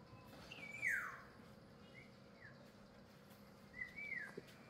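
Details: One of a pair of Black-naped Orioles near a garden sinigwelas tree gives a loud, slurred whistle that drops in pitch, then a few short notes and a rising-falling fluty phrase, over a soft, steady background hum; song.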